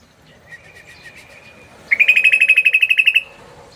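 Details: Sooty-headed bulbul lure call in the rapid 'ropel' style: after faint scattered chirps, a fast run of about fifteen sharp, even notes at a steady high pitch, lasting just over a second, then quiet.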